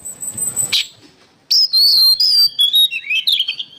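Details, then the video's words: Oriental magpie-robin, recorded as training material for songbirds, opens after a faint hiss and a brief burst with loud whistled phrases, sliding and warbling high, delivered in quick bursts of rich, varied notes. "MASTERAN BURUNG KACER GACOR"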